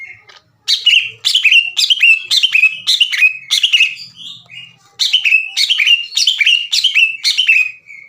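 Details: Caged greater green leafbird repeating harsh shot-like phrases to challenge other leafbirds. Rapid sharp notes with down-slurred tails fall at roughly two per second in two runs split by a brief lull, with a faint low hum behind.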